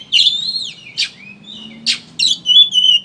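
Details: Oriental magpie-robin lure song in the kacer ngeriwik style: a swooping whistle, then sharp buzzy bursts spaced about a second apart, ending with a steady high whistled note; low hum underneath.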